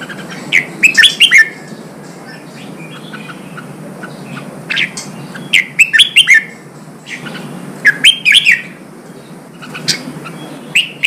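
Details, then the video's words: Red-whiskered bulbul song used to stimulate wild-caught birds and train them for singing contests: short bright warbled phrases, rising and falling, given in bursts about every two to three seconds over a steady low hum. "Kích chào mào bổi hót, kích bổi sổ giọng, luyện chào mào hót đấu"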